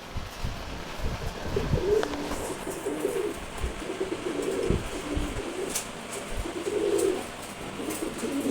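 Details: A month-old racer pigeon chick, a good flier, making a few scattered low coos and murmurs amid muffled thumps and background hiss.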